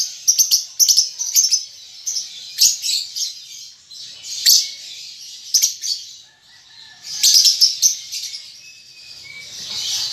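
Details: Juvenile lovebird practising ngetik and ngekek, delivering repeated short bursts of rapid, high ticking chirps separated by brief pauses, ending in a rasping, sustained twitter.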